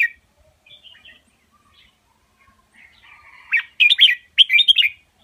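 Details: Red-whiskered bulbul giving an Indo double master song meant for teaching young birds: scattered soft chirps and twitters build into two loud, rapid bursts of warbled notes at the end.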